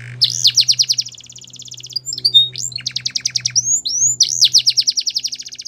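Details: Male canary singing fast rattling trills separated by short whistled slurs, the phrases repeating energetically over a faint low electrical hum.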